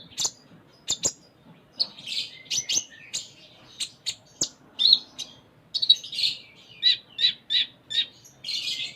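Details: Lively konin (Sunda minivet) song in 'full isian' style, with quick sharp ticks and dense high chirps delivered in steady bursts about every half second, and some faint background noise.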